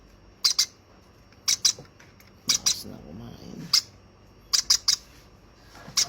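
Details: Young hand-fed baby conure giving short, harsh, high-pitched squawks, mostly in quick pairs about a second apart, with faint indoor rustling between.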